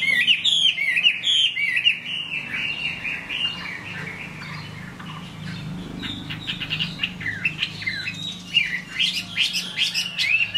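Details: Chinese hwamei singing in the rain: loud, varied whistled phrases slurring up and down in quick bursts over the steady hiss of rain.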